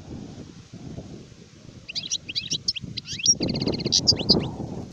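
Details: Adult European goldfinch singing, recorded in 2019: after two seconds of low rumbling background, quick twittering notes start, followed by a fast buzzy rattling trill and more bright chirps.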